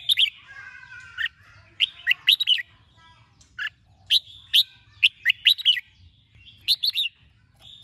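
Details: Red-whiskered bulbul being trained to sing, heard at morning: energetic, rapid runs of sharp whistled notes and chirps, in dense clusters with short pauses.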